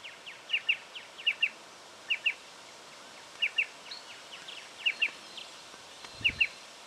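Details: A striated pardalote in Victoria, Australia, in October 2011 gives crisp, high double notes, 'chip-chip', about every second over a soft hiss of background noise, with one dull thump near the end.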